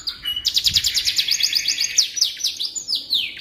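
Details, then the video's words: Canary singing, meant as tutor material for magpie robins: a brief low whistle leads into a rapid high trill, followed by a series of descending slurred notes. "Suara Burung Kenari Cocok Untuk Masteran Burung Murai Batu"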